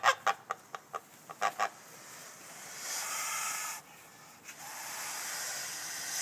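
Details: Farm geese guarding their farm against an intruder: a quick burst of about eight harsh, nasal honks packed into under two seconds, then a steady breathy hiss of background noise.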